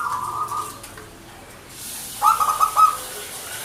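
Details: Local zebra dove cooing vigorously: a steady held tone at first, then after a quiet gap a short run of five or six rapid, clipped coo notes, over a background hiss.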